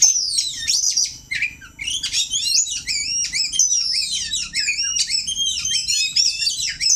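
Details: Oriental magpie-robin in a song-practice bout against a rival: bright, ringing whistled phrases and quick chattering notes tumble in dense succession, with downslurred and upswept notes and only one short lull near the start.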